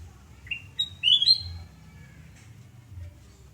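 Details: Sooty-headed bulbul morning song at a home in Surabaya, Indonesia, 29 November 2017: a rising note, then a fast ringing whistled phrase, fading into quiet background hum.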